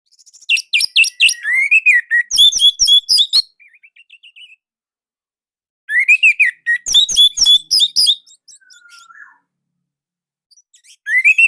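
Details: Orange-headed thrush from Indonesia, a tutor song for training young or silent birds, with a tight, loud style. Two bursts of loud, rapid, varied whistled notes and sharp chirps, each about three seconds, split by silence and a soft trailing phrase.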